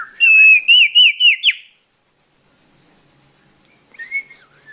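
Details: Common iora giving a clear, loud lure call: a short run of four or five wavering, upslurred whistles in quick succession, followed by a faint, softer warble.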